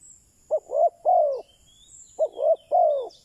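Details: Spotted dove used as a decoy to draw in wild doves, giving two matching three-note coo phrases: a short clipped first note, then two fuller slurred coos, the last longest and falling; thin distant bird whistles above.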